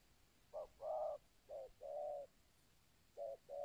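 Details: Spotted dove of the local 'kuk 2' style, played to attract wild doves. Soft, rounded cooing comes in uneven groups: brief clipped notes and longer drawn-out coos, with quiet pauses between phrases.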